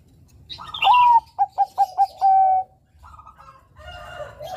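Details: One song phrase from a Bangkok-type zebra dove, played as a lure for young males: a bright rising note, four quick clipped pulses, then a sustained flat coo, followed by quieter muffled cooing and faint rustling.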